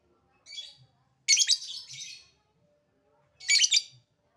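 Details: Lovebird call used to excite other lovebirds into answering: a soft short squeak, then two loud, scratchy, high-pitched bursts about two seconds apart, in otherwise quiet surroundings.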